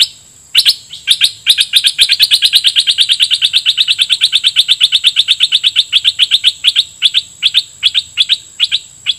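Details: Red-whiskered bulbul kept as a decoy, calling rapidly at wild birds: a long, unbroken run of sharp, evenly spaced chirps, roughly three per second, over a faint constant high hum.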